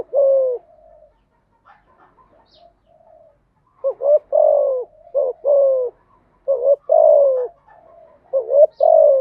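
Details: Spotted dove song used to train newly caught doves to sing: repeated phrases of two short rising coos followed by a longer falling coo, low and hollow, with soft quieter coos between phrases.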